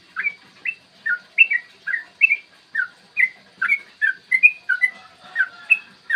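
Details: Yellow-vented bulbul in long-phrased song to spur other birds to sing and fight; evenly spaced, liquid whistled notes, several dropping in pitch, forming a bouncing, rhythmic sequence.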